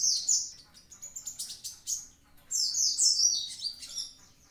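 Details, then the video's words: Actively singing Javan pied starling mixes shrill descending whistles with a quick sequence of short chirps, then a long sweeping whistled phrase. "konin ijoan gacor aktif"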